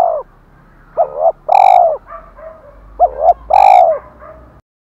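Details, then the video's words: Spotted dove used as a decoy, with a 'thổ pha' voice, repeating its fighting coo twice: a short two-part note then a long, even coo. Softer echoing coos sound between the phrases, over a low hum. "Chim Cu Mồi Giọng thổ pha, thúc đấu rất đỉnh và gáy gọi chất hai"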